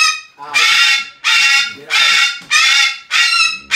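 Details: Rescued 23-year-old female Umbrella cockatoo kept as a pet, giving loud, harsh, raspy screeches. Four long blaring calls come in quick succession, each lasting about half a second with short gaps between.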